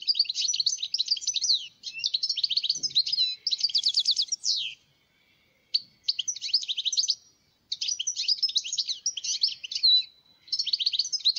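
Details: Algerian wild European goldfinch singing long runs of bright, rapid twittering notes mixed with buzzy trills and a descending sweep, phrases broken by brief silences; one faint low knock partway through.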